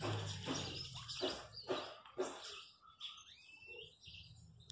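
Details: Chachalacas in the countryside give several harsh, grating bursts, then fall silent while a thinner whistled bird call rises and falls, with a low hum throughout.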